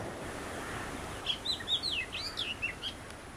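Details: Oriental magpie-robin, one of a visiting pair, singing a short run of clear, swooping whistled notes over steady background hiss resembling surf.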